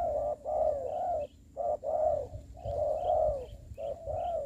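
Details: Spotted dove used as a ground decoy for trapping, giving low mellow coos in phrases of two or three notes separated by short pauses, with faint rural background rumble.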